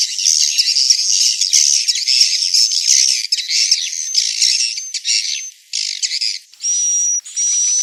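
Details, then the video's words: Swiftlets twittering in a dense, buzzy, high-pitched chatter, ending with two steady thin whistled notes. "SUARA BURUNG WALET"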